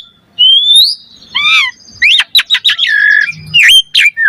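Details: Asian pied starling in active song, played as a lure to provoke a reply; a long rising whistle, a wavering buzzy note, then a jumble of sharp chirps and squeaky slurred notes.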